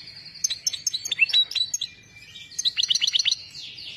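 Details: European goldfinch song of tinkling, chime-like twitters and short whistles, a brief pause, then a quick burst of rising chirps and buzzy notes fading out.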